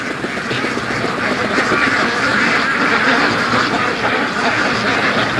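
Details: A flock of free-range domestic ducks by a lake on a 26 September morning, somewhat agitated, quacks nonstop, many loud nasal calls overlapping into a dense, restless chatter with no pauses.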